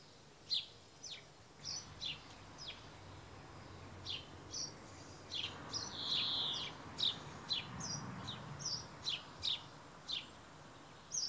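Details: Male Brambling giving short, sharp, high chirps in loose series, roughly two every second, with one longer, harsher, buzzy note near the middle; a low steady rumble of background noise underneath.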